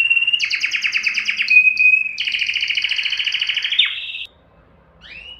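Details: Singing canary meant to stir mating in males and females. It gives a long, buzzy, rolling rattle of fast repeated notes lasting about four seconds, then silence and a faint rising chirp.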